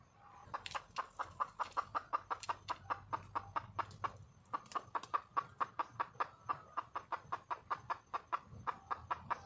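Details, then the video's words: Wild red junglefowl hen calling for a male: a long, fast run of sharp, clipped clucks, roughly four each second, continuing with only a brief pause through the whole stretch, with a low background hum. "le bruit d'une poule sauvage,เสียงไก่ป่าร้องหาถู่หาตัวผู้,ສຽງໄກ່ປ່າຮ້ອງຫາຄູ່ຮັກ, poj qaib qus see"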